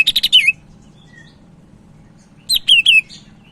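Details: Energetic cak ijo Medan, the Sumatran leafbird, used to train other birds: a rapid run of four buzzy chips sliding down into a whistle, a two-second gap, then three looping whistled phrases.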